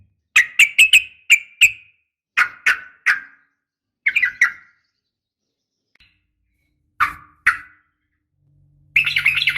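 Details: Female sooty-headed bulbul calling a male: short clusters of sharp, bright chirps in twos and threes with gaps between groups, ending in a brief burst of rapid chatter.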